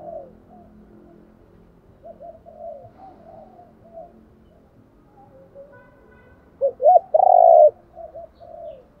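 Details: Mostly soft, low cooing from decoy spotted doves used in training, then near the end a loud phrase of quick coos and a long rolling note, followed by gentle cooing.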